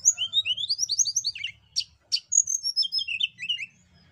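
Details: Hill blue flycatcher song for luring birds to sing: a rapid series of rising whistled notes, two sharp click-like bursts, then a cascade of descending twittered notes, with faint low hum beneath.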